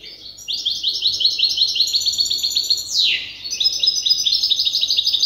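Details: Hybrid goldfinch still memorising its song from an older hybrid delivers a dense, fast, twittering trill of high repeated notes, broken midway by a swift downward sweep, then resumes the rapid chatter.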